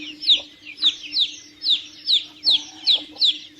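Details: Chicks cheep in quick, slightly irregular bursts: around nine high, falling notes within under four seconds, plus a soft continuous drone in the background.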